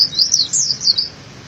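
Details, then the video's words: Dakun oriental white-eye, a master song for cage-bird training: one brief, high, warbling phrase of joined sweeping notes lasting about a second. "Kicauan burung pleci cocok untuk masteran gacoan anda"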